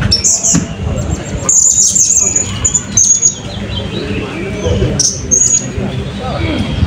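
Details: Blue-crowned hanging parrot competing in a 2024 open songbird sound-and-style contest at Balingian, giving sharp, very high piping notes and brief trilled runs amid people talking, music and laughter.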